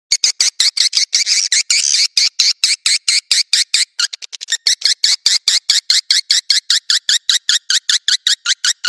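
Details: Swiftlet lure call of the Naga Merah style, used to draw swiftlets to nesting sites: a rapid, steady train of sharp clicks and short buzzy chirps, about two or three per second, with a denser rattling burst near the second second.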